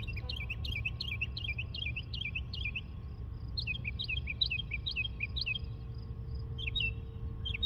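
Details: Northern mockingbird mimicry song, rapid clear down-slurred chirps, about three per second, in two bursts over a low rumble; it sang nonstop, over 30 different calls in two minutes, including kestrel, cricket and car-alarm imitations.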